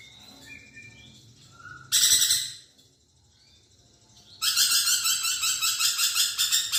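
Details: Chatty lorikeet (nuri perkici), recorded as training material for songbirds: soft twitters, then a short harsh screech burst, a pause, and a longer rasping, pulsed screech at about three pulses per second.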